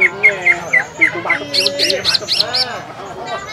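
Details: Green leafbird singing to provoke other birds at a practice contest on Semparuk field: a few short whistled notes, then a burst of harsh, high squeaky chips, with background chatter.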